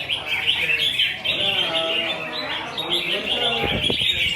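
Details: Newly caught wild red-whiskered bulbul still in forest plumage, behaving aggressively. Dense run of bright chirps and warbled whistles, fairly continuous, with lower murmuring notes and a few soft knocks near the end.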